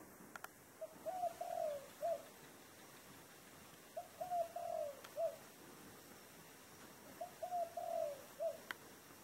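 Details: Dove with a 'thổ đồng' style voice delivering three matching low coo phrases, each a quick series of soft hollow notes with a drawn-out middle coo, repeated roughly every three seconds against faint background hiss.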